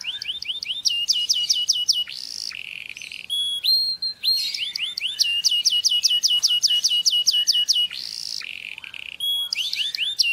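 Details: Canary song used to stimulate mating: fast trills of repeated downward-swept whistled notes, broken by short buzzy rolls and flat whistles, loud and continuous throughout.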